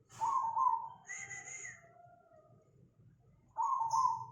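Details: Perkutut cemani zebra dove in Tangerang, Banten, Indonesia, 24 August 2020, giving trilled, vibrating coo phrases, one at the start and another about three seconds later, with thin high whistles from other birds in between.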